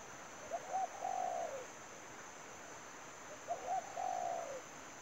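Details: Spotted dove lure during bird trapping: a phrase of two clipped coos and a drawn-out falling coo, repeated once after about two and a half seconds; steady high insect hiss behind.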